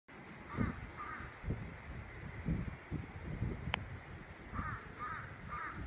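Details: A Fish Crow at Long Point gives short, nasal caws: a pair near the start, then a quick run of three at the end. Steady low wind rumble and one sharp click.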